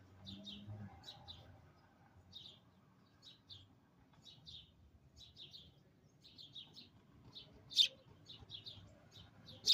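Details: Sparrow singing right outside a window: a long series of short, high chirps in small clusters with brief pauses between. A couple of louder, sharper notes come near the end, and a faint low hum sits underneath.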